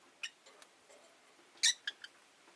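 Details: Five pet Rosy-faced lovebirds in a windowside cage, one jostling for position, give a few sharp, high, clicky chirps, spaced irregularly, with one louder burst near the end, while it rains outside amid faint street traffic.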